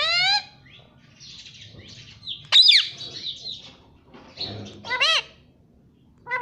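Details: Talking Indian ringneck parrot kept as a pet in India, said to repeat "mummy": wavering harmonic voice-like sounds at the opening and near the end, a loud harsh squawk in the middle, and soft background murmur.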